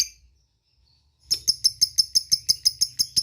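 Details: Lovebird ticking to summon companions: after a second of near silence, a quick regular series of sharp high chips begins, about six per second, over a faint low hum.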